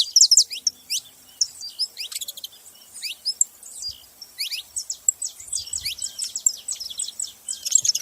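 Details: Several saffron finches chirping constantly: dense high twitter of short downward sweeps and clicks, layered from more than one bird, with a faint hiss behind.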